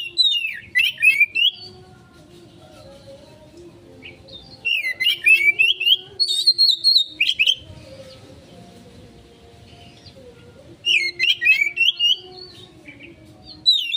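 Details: Oriental magpie-robin song as a lure, three bursts of fast chattering, whistled notes separated by several seconds of near quiet with faint hum.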